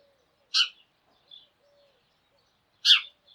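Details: Sparrows from a morning flock calling together: two short, bright chirps about two seconds apart, with faint softer notes between them and otherwise quiet surroundings.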